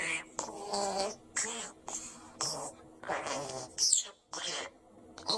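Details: Male pet parakeet chattering indoors in mimicked speech: short syllable bursts with bright, hissy high tones over low voiced hums, broken by brief pauses.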